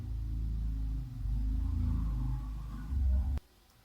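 Deep droning rumble with low tonal bands, like an engine or music, surging and fading before a sharp click cuts it off to near silence, with no animal sound.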